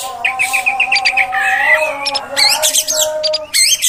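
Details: Female oriental magpie-robin, whose voice is played to rile males and train them to sing long, full songs: a row of short rising whistles, then sweeping notes and bright harsh bursts over a steady low humming tone.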